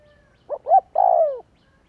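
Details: One spotted dove phrase from a lure recording meant to set doves cooing: two clipped low notes, then a longer, purring coo that slides downward.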